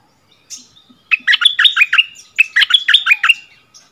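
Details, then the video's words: Decoy bulbul back on its old territory, trading doubled song with the new resident, which would not come down: two bursts of rapid, jerky chirps, each burst about a second long, separated by a brief pause. "เสียงนกดอกแตงEp.30 คืนถิ่นเก่า!!ดวลเพลงเบิ้ลกับเจ้าถิ่น Burung merbah lekir"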